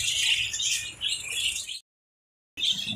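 Lovebirds chatter in a dense, shrill stream of squeaky chirps and harsh squawks, several birds calling at once, with a brief cut to silence.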